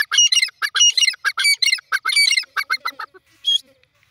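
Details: Grey francolin calling in a rapid series of loud, harsh, ringing squawky notes, about a dozen bursts over three seconds, ending with a brief high note.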